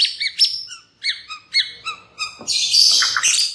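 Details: Lure song of a white-rumped shama (murai batu) for provoking others to sing: clear whistled notes spaced about every quarter second, building into a dense, loud warbling flourish.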